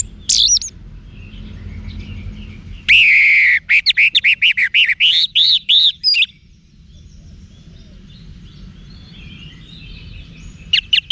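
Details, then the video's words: Wiksar-style song of an orange-headed thrush for cage-bird training. It opens with a long, harsh, buzzy note, then fast arched whistles that swoop up and down for about three seconds. After that comes a quiet stretch with faint distant chirps. "ANIS MERAH Manapun Bakal Nyaut Berani Untuk Figther Saat Didengarkan Kicauan Wiksar Ini"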